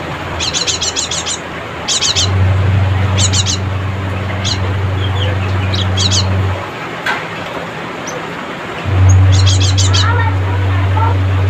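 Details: Cinereous tit, locally called gelatik batu, singing to call rivals; bursts of rapid high chattering notes in clusters of four to six, repeated in several bouts, over a steady low engine-like hum.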